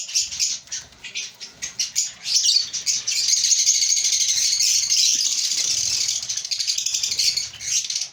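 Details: An African lovebird breeding colony: many lovebirds chatter at once in a dense wash of shrill, high chirps and squeaks that swells into a continuous chorus, with some wing flapping.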